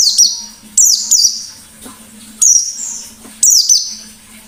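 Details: Lively white-eye song used as a lure: loud high-pitched bursts of falling whistled notes, starting sharply and sliding down, repeated about four times, with a faint steady low hum underneath.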